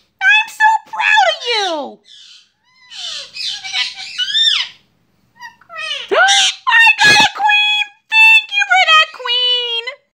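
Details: Lutino ringneck parakeet kept as a pet, talking in a small room: rapid strings of high-pitched, human-like mimicked phrases with gliding and falling tones, broken by short pauses and a sharp loud click.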